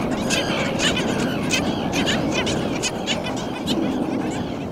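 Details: A nesting black skimmer (Rynchops niger) family, two adults with two chicks, at Nickerson Beach, Long Island, New York: short, nasal barking notes, about two a second in an uneven run, over a steady low rumble.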